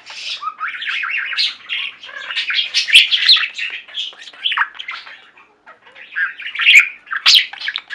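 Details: Pet budgerigar flock singing and chirping: dense, overlapping warbling chatter of rapid chirps and squeaky notes, with a short quiet gap near the end before the chatter resumes.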